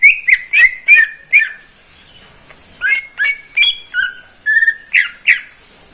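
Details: Greater green leafbird, caged, in persistent morning song; groups of rich whistled notes with buzzy overtones, a short pause, then a steady series of evenly spaced slurred whistles roughly every half second.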